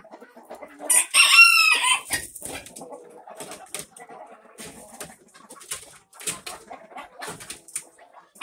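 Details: Mixed barn flock of chickens of many breeds, including an Australorp rooster, recorded May 9, 2024; a loud, harsh, harmonic call lasting about a second, then scattered short clucks and rustling through the rest.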